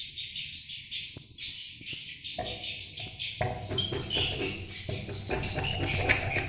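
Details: Swiftlets at their nest site: dense, buzzy, high chattering chirps run nearly continuously, joined halfway through by low rumbling, thumping background noise and sharp clicks.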